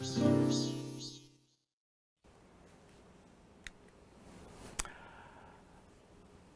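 A short piano-like musical phrase fades into silence, followed by quiet room noise with two sharp knocks and no animal sounds.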